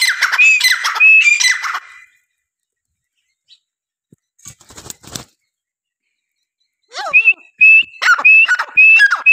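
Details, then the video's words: Francolin calling in two bursts of harsh, squawky notes with clear pitched tones. A near-silent gap with a few soft clicks separates the bursts, and the calls resume rapidly toward the end. "Teetr ki awaz❤️ francolin voice"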